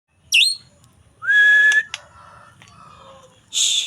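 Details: Young forest-caught white-rumped shama giving varied notes: a sharp high downslurred whistle, a long steady mid-pitched whistle, lower softer whistles, then a loud noisy burst.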